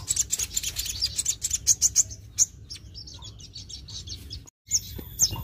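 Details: Singing sogon (sunbird), kept to provoke other birds: a run of sharp, very high chirps and twittering notes over the first two seconds, then sparser thin chips, with steady low hum underneath.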